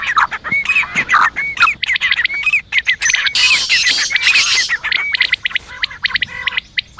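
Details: Female black francolin voice, used to excite males: harsh squawking phrases with repeated rising notes, given in quick irregular bursts, with a noisy hissing patch midway.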